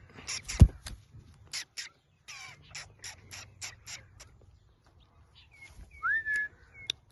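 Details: Blue Indian ringneck parrot chattering in a rapid run of harsh, clipped squawks, then falling quiet before a few clear whistled notes, one swooping upward.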